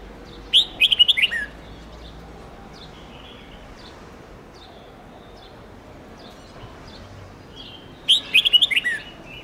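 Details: Red-whiskered bulbul song used for training young birds to learn long 7-10 note songs: two bright whistled phrases near the start and end, each a quick run of about six chirpy notes, with soft distant bird calls between.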